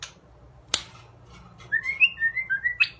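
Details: White-rumped shama (murai batu) giving a short run of clear whistled notes, gliding slightly up and down, after a single sharp click and a quiet start; a faint low hum sits underneath.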